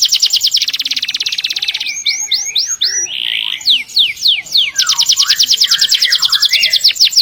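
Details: Canary singing a long rolling song, used as a tutor recording for canaries and other birds: fast buzzy trills, then a run of sliding whistled notes, then the rapid trill resumes.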